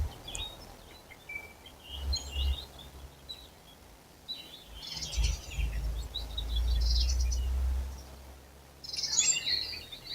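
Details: Birds in April starting to sing, scattered high twittering bursts over heavy low rumbling noise.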